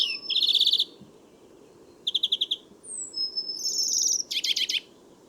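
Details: European greenfinch song: rapid, bright canary-like trills in short bursts, each a quick run of buzzy pulses, with a thin drawn-out whistled note between bursts, over a low steady background hum.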